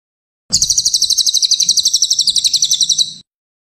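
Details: Cililin master recording for songbird training, a long, steady, rapid trill of about thirty high, ringing pulses running for roughly two and a half seconds, slightly falling at the end.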